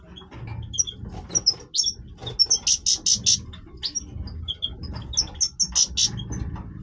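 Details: European goldfinch, a breeding-voice singer, giving a busy twittering song of rapid high chirps, trills and buzzy notes in quick varied phrases, with a low background hum.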